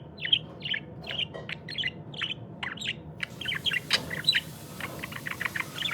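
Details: A pet budgerigar in the morning gives a rapid series of bright, warbling chirps and chattering notes.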